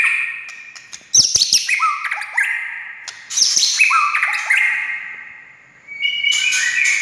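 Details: White-rumped shama song meant to provoke other shamas into song: loud varied whistled phrases with sharp downward-sweeping notes and stepped pitch jumps, broken by clicks, ending in bright high notes.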